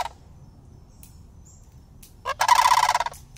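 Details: Two juvenile sandhill cranes living year-round in a city and at ease around people come to greet a person, filmed on an iPhone. After near silence, one short loud rolling, pulsed call bursts out near the end.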